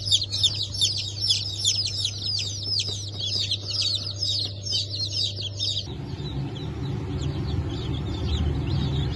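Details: Fresh hatch of Brahma and Wyandotte chicks, 04.08.2024: dense shrill peeping from many chicks for about six seconds over a low hum, then quieter scattered cheeps against louder low rumbling.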